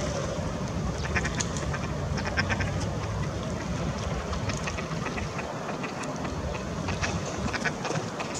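Ruddy shelducks give short nasal, honking calls in quick irregular bursts, several birds overlapping, over a steady low rumble of wind or background noise.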